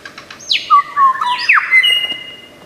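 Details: Lyrebird, a bird of Australian forests known for imitating other sounds, giving loud whistled notes that slide steeply downward, mixed with flat held tones and overlapping slurred phrases, with a slight echo.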